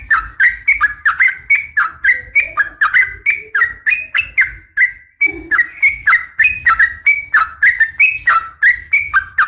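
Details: Sooty-headed bulbul female calling males at morning. A long, steady stream of whistled slurs, rising and dipping, repeats about three or four times per second over a low rumble, with faint softer chirps in the background.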